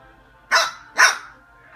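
An umbrella cockatoo gives two harsh, hoarse barks in quick succession, copying a dog.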